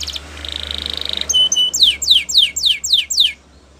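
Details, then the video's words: Spanish Timbrado canary training song: a quick rolling trill, two thin level whistles, then six loud descending slurred notes about four per second over a low steady hum. "Make Your Canary Singing Again !!"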